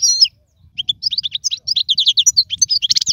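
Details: Goldfinch song for training young birds: an opening whistled slur, a short pause, then a quickening string of bright, bouncy twittering notes delivered several per second.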